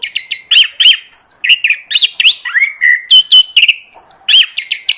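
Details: Lure song of an oriental magpie-robin to attract birds, a steady stream of varied whistled notes, looping slurs and short chips repeated several times a second without pause.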